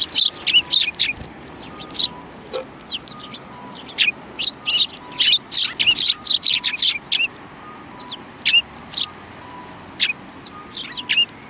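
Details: Several sparrows recorded on 2 January 2019 give a busy stream of short, sharp, high chirps, often in quick pairs and bursts, with brief pauses between flurries and a faint low hum underneath.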